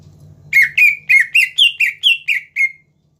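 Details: Greater green leafbird delivering a neat series of nine clear whistled notes, evenly spaced about every quarter second, some rising and others falling slightly. The song is used to provoke rival birds into singing, over a faint background hum.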